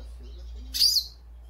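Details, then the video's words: One brief, high, slurred chirp from a goldfinch over a constant low electrical hum. "Pintassilgo chamando"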